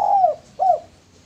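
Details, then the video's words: Male spotted dove used as a lure: two mellow coos, the first longer and slurring downward, the second shorter, in a quiet background. "Derkuku Tekukur Jantan Cocok Buat Pancingan"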